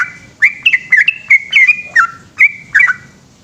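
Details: Night song of a yellow-vented bulbul in the 'ropel panjang' long-song style, with short bursts of clear whistles that rise and then slur down, separated by brief pauses, over a soft low background rumble.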